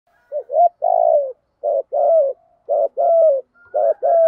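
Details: Spotted dove cooing in the thúc gù style: groups of low, mellow coos, with short notes leading into longer drawn-out hoarse coos that slide slightly downward, repeated about once a second in quiet surroundings.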